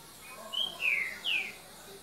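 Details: Green-winged saltator at 7:38 pm on 3 January 2019 gives a short, soft 'boca mole' phrase: three clear whistled notes, a brief level one, then two sliding downward, over a quiet background.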